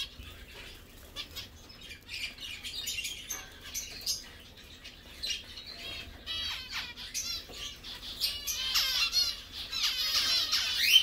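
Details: Captive zebra finches feeding, singing, chirping and bathing; quiet scattered chirps build into rapid, buzzy, stuttering song phrases of several birds, growing louder toward the end.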